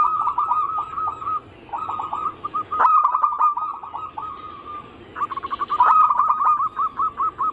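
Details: Zebra dove song meant to prompt other zebra doves to sing: bursts of rapid rolling coos separated by short pauses, sharp clicking sounds, and a closing run of evenly spaced notes.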